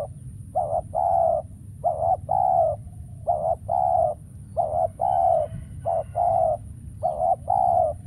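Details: Spotted dove decoy calling at a trapping site while wild doves stay away. Six low, hollow two-part coos in steady succession, each a brief note then a drawn-out one, roughly every second and a half.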